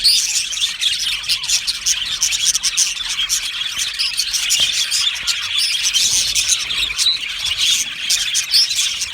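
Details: Budgerigar colony in an aviary, the birds described as happy, producing steady high-pitched chatter with quick chirps, warbled twitters and occasional sharper whistles from many individuals.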